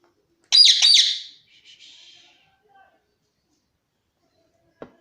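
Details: Pet Alexandrine parakeet (pahadi parrot) indoors giving two loud, harsh, rasping squawks in quick succession, followed by a few softer scratchy notes and a faint click near the end.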